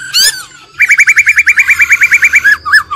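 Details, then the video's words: ['Female laughingthrush trilling, from an old wild bird: one sharp upswept whistle, then a fast even trill of about seventeen rolling notes lasting nearly two seconds, ending in a couple of slurred whistles.'] "GIỌNG KHƯỚU già rừng, kích bổi căng lửa, khướu mái ro ro"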